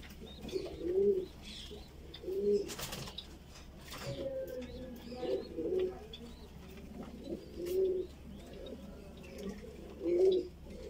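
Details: Fancy Voorburg Shield Cropper pigeon, a chick being fed, makes short low throaty grunting pulses about every one and a half seconds over a quiet background.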